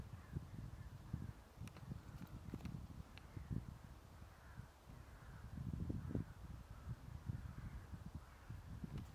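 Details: A hooded crow (Corvus cornix) gives hoarse, rasping caws at a steady pace, partly buried under constant low wind rumble, at Ljubljana Marshes (Ljubljansko Barje), Slovenia, on 7 December 2023.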